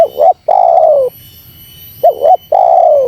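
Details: Close, loud spotted dove lure call intended to provoke wild doves. Two phrases, each a short wavering two-part note and then a long rich coo dropping slowly in pitch, about two seconds apart.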